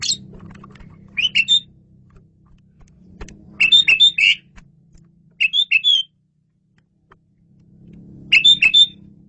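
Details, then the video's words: Asian pied starling, from a 'masteran' tutor recording of lively 'gacor' singing: short three- or four-note whistled bursts repeated at intervals of about two seconds, over a low steady hum. "KICAU SUPER GACOR!!! JAGO BANGET MASTERAN JALAK SUREN INI"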